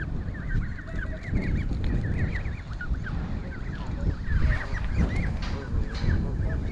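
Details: Goslings gathered in York Castle car park give a continuous chorus of high, rising-and-falling peeps over low traffic rumble and wind.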